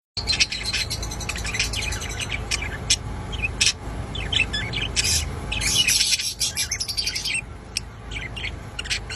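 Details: A lutino budgerigar chatters happily in a rapid stream of bright chirps, clicks and squeaky warbles.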